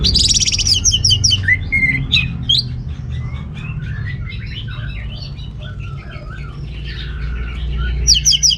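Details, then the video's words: An orange-headed thrush sings to spur males short on breeding drive. Rapid varied chirps and twittering notes open and close the passage, with softer warbled phrases in between against a low background hum. "ANIS MERAH Gacor Untuk Pancingan AM Jantan yang Kurang Birahi"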